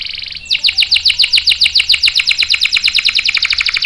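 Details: Canary singing to tutor young and stalled canaries: a brief high buzz, then a loud, rapid roll of bright swept notes repeated steadily about seven times per second throughout.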